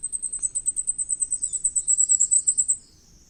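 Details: Common firecrest giving a long, steady run of piercing high notes, about seven per second, that gets louder and then stops abruptly after nearly three seconds. A faint low hum sits underneath.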